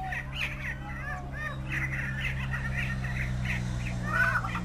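Greater prairie chickens give a busy chorus of overlapping cackles, squawks and whining notes, several birds at once, over a steady deep hum.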